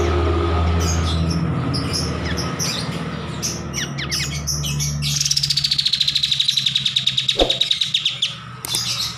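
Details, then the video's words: Kapas tembak bulbul used as a master recording. Scattered chirps over a strong low hum, then a long rapid trill of closely repeated pulses lasting about three seconds, with a single sharp knock midway. "MASTERAN KAPAS TEMBAK GACOR"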